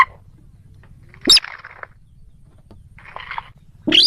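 A moorhen gives abrupt, harsh croaking notes, a sharp burst followed by a rougher, gurgling phrase, repeated twice over a quiet low background.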